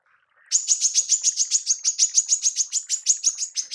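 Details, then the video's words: A female manggar, used to tutor songbirds, gives a brief faint lead-in, then a rapid, rhythmic string of shrill high-pitched chirps continuing to the end. "TEMBAKAN MANGGAR BETINA"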